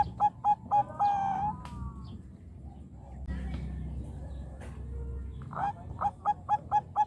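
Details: Bangkok-type zebra dove responding to another bird: a burst of short coos and a drawn-out note, a long stretch of rumbling background, then another rapid string of clipped cooing notes.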